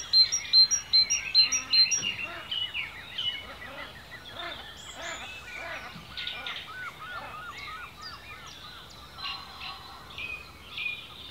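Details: A dense dawn-chorus-like mix of woodland birdsong in ancient woodland in Cornwall, UK: bright high chirps, quick trills and repeated short whistled phrases from several birds, loudest at the start and fading into steady softer twittering.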